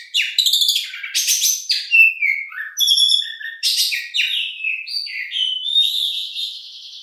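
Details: Oriental magpie-robin delivering a long-shooting song: a fast run of varied whistles, scratchy bursts and falling slurs, ending in a steady, sustained high note.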